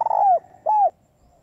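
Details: Female spotted dove coo meant to stimulate males: a rapid stuttered lead-in merging into a long descending coo, then a second clear sustained coo, followed by quiet.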